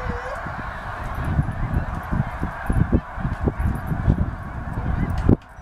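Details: Snow geese heading at dusk from a feeding field to the nearby lake to roost, Middle Creek Wildlife Management Area, PA, 2012. Constant crowded honking chatter, with a low rumble, ending in a sharp knock.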